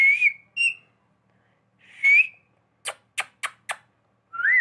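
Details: Human-like whistling from a talking pet parrot: brief bright whistled slurs, then four sharp, clicky calls in quick succession and a final rising whistle. Quiet room.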